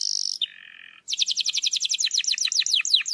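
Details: Canary singing to prompt a lazy, silent canary: a high steady whistle, then a lower held tone, then a fast run of sharp descending notes repeated about four times a second.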